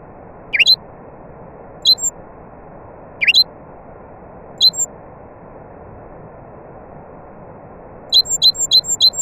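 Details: Nightingale, with other birds around, gives sparse sharp rising chirps at irregular gaps, ending in a quick series of five repeated piping notes; low continuous hiss underneath.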